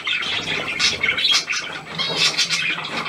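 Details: Recorded 17 February 2023, a new hand-tame Australian pied budgerigar chatters in rapid, raspy, high-pitched bursts with thin squeaks mixed in.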